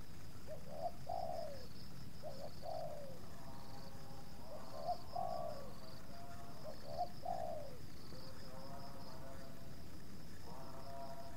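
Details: Spotted dove (tekukur) where two wild doves approach a captive decoy, the second resisting slightly. Repeated soft coo phrases overlap a second, fainter, buzzier series of even notes, like another dove answering, over low rural background noise.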